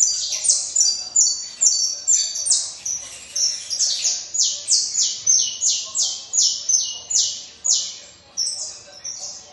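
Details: Saffron finch singing nonstop, a fast string of roughly twenty-five bright, high, downslurred chirps, a few doubled, with barely a break across nearly ten seconds.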